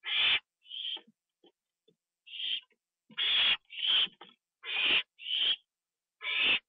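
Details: Owl at night, 25 September 2011 at 1:52 AM, live cam during a treat eaten inside: an irregular run of about nine hissing screeches, some short and clipped, some longer, bunched closer together toward the middle.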